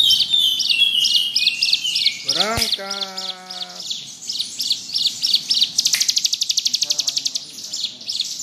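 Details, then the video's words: Bar-winged prinia gives repeated high chirps and a fast buzzy trill. A brief lower, harmonic bleating or voice-like sound breaks in near the start. "Burung ciblek gunung gacor ngebrem"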